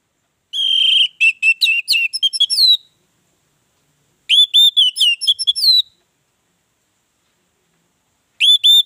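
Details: Orange-headed thrush song meant to draw other birds into singing: repeated bursts of rapid whistled notes and chirps with upward slurs, each about two seconds long, separated by pauses.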